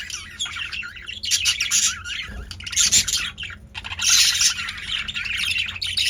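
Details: Several male budgerigars very active in a cage; a continuous dense chatter of overlapping high chirps, squeaks and warbles rising and falling in loudness, with a low background hum.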